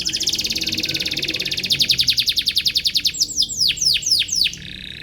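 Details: Singing canary looking for a rival, used as a lure for juvenile canaries learning to sing. A fast high rattle speeds and strengthens, then turns into a run of sharp downslurred chips before stopping.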